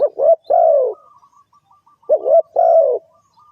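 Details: Lure call of a spotted dove for bird trapping: a hollow three-part coo, pause of over a second, then the same phrase repeated; soft, low and even.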